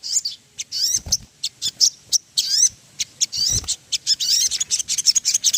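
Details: Ruby-throated bulbul song intended as a lure to spur birds into singing: varied high twittering phrases and sliding whistles in quick succession, with occasional low knocks.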